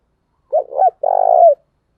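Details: Spotted dove decoy cooing, in the thúc gù and gáy gọi styles, used to lure wild doves: a two-part throaty coo followed by a longer, slightly falling purring note, loud and clean against silence.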